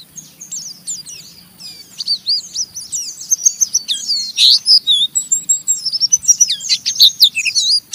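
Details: Rough ngeriwik song of an Oriental white-eye, intended to draw rival white-eyes into calling; tangled high twittering that grows louder and denser, rapid slurred whistles overlapping throughout.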